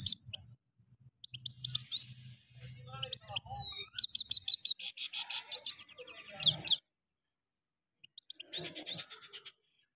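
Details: European goldfinch song from Parachinar, 2022, one goldfinch against another: rapid, high, tinkling twitters and trills in bursts around four to seven seconds and again near nine seconds, over a low murmur of voices.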